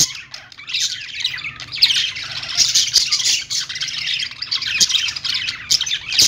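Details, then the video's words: Budgerigars in the morning, a flock's constant high-pitched warbling and squawky chirps blending into one lively, unbroken chorus over a faint low hum. "budgie birds morning sounds"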